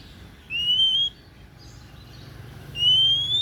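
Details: Oriental magpie-robin (kacer daput) sings two sweet rising whistles about two seconds apart, the second climbing higher, over steady low-level background noise.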